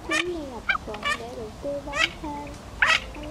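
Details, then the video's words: Male and female Mandarin ducks calling to gather the flock, a sound used to trap migrating birds in nets at night; scattered short raspy calls with gliding musical notes behind. "Tiếng Vịt Uyên Ương Trống Mái Gọi Bầy"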